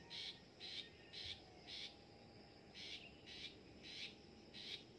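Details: Long-tailed shrike in training to sing, repeating rasping, buzzy notes about twice a second, each short and harsh, against a constant faint hiss.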